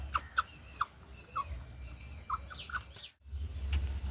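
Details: Pet hens kept with budgies give short, low clucks at an uneven pace, mixed with faint chirps from the small birds and a steady low hum.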